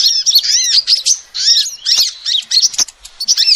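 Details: High, twittering calls of a female sunbird, a recording used as a bird lure: quick bursts of shrill, arched chirps broken by short pauses, with a few sharp ticks.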